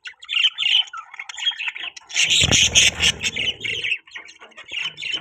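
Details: Several budgies chirp and warble while kept for breeding, high squeaky notes broken by a brief burst of rustling and a louder chattering stretch.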